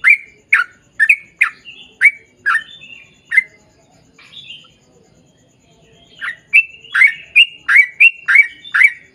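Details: Sooty-headed bulbul in a long rapid song meant to draw other bulbuls into answering: a quick string of sharp chirping notes, then a lull of a few seconds before the bright chirps resume faster.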